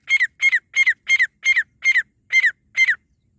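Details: Partridge calling, a sound recorded for luring and catching partridges: loud, harsh, doubled notes like a rasping two-part squawk, repeated eight times in about three seconds at a steady, hurried pace, with silence after.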